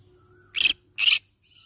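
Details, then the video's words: Yellow-sided conure parrot giving two short, harsh, raspy screeches about half a second apart, each a dense burst of noisy sound, with a faint softer chatter trailing at the end and no other clear sounds. "Yellow sided conure parrot bird sound"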